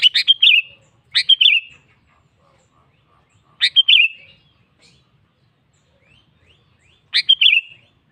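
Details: Sooty-headed bulbul singing to call a rival: brisk, bright phrases of a few quick chirps ending in a twisting whistle, repeated four times at irregular gaps of one to three seconds in otherwise quiet surroundings.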